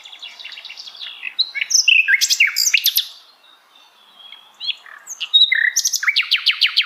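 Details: Sikatan Londo flycatcher song in various situations, full of jumbled high chirps, sharp downslurred notes and rapid clicking trills, broken by a brief lull before a final run of fast repeated notes.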